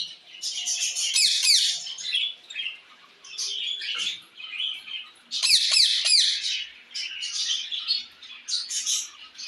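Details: Parrot calling to another parrot: bursts of harsh, buzzy, high squawks mixed with sharp chirps, coming in two loud clusters separated by quieter chatter, several notes per second.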